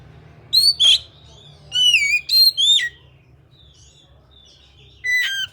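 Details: Kacer giving clear upslurred whistles and a run of descending, modulated whistled notes, then a lower whistled phrase at the end, over faint background hum.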